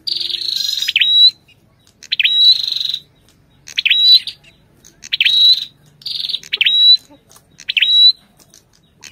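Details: Ashy tailorbird singing with the female's calls: a buzzy rasp opens, then repeated swooping notes ending in short whistles, roughly every 1.3 seconds.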